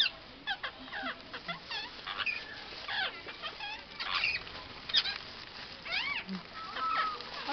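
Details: Parrot at a zoo in Chitradurga giving a rapid series of loud, harsh, bending squawks, rising and falling in pitch, repeated about every two seconds with uneven spacing, with a longer steady whistled note near the end.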